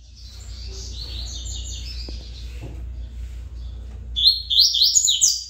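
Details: Rusty-collared seedeater, a good singer, delivering fast buzzy warbled phrases high in pitch, an opening run then a louder burst of rapid descending notes near the end, over steady low hum.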